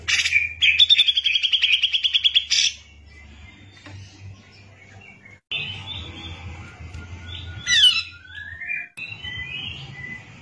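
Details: Grey-cheeked bulbul (cucak jenggot) in full song, used as tutor material for training other songbirds such as magpie-robins: a rapid buzzy chattering trill lasting two seconds, then varied whistled phrases, a sharp falling sweep, abrupt cuts and a low background hum.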